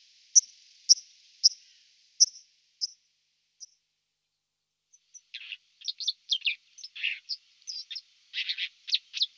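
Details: White-throated dipper song: a string of separate high, sharp notes spaced about half a second apart, then a brief pause before a fast, scratchy run of buzzy and whistled phrases; no other sounds.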